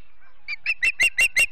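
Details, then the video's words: Charlo, Montana Osprey at the nest on a September morning, from a live nest camera: half a dozen piercing whistled chirps that start soft and swell louder, spaced about a fifth of a second apart. "Charlo Mt. Ospreys ~ Typical September Morning"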